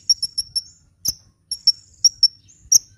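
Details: Brief hummingbird song used for luring and encouraging birds to sing: about eight high, pointed chirps in small groups, with a couple of sharp clicks between them.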